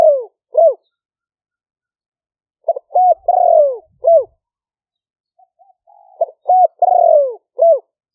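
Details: Decoy recording of a spotted dove in the liu-fueang middle-voice style, made in rice paddies during the rainy season in Roi Et, Thailand. Phrases of two or three short hooked coos and one drawn-out descending coo repeat after pauses of a few seconds.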